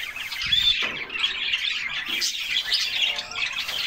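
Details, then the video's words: Canaries in a group taking a cool summer bath, singing: a steady stream of high, bright chirps and rapid twitters, a short whistled upward slide near the start, soft splashes below. "Canaries Singing and Splashing in a Refreshing Bath"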